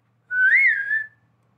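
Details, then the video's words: A pet talking parrot that whistles like a human produces one smooth whistle lasting under a second, swelling upward then easing back down, with the room otherwise silent. "मनुष्य जैसी सीटी बजाने वाला मिट्ठू |Parrot whistles|"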